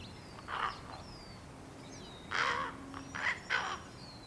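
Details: Young common ravens, hatched April 1st 2022 and fledged May 15th 2022, waiting for their parents to bring food; an impatient nestling gives short harsh raspy calls, one then three more in a loose cluster, with thin songbird whistles in the background.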